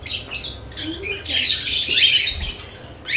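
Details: Lovebirds around fresh nest boxes twitter rapidly, building to a long loud stretch of shrill chirps before tapering off, with a brief low sound underneath.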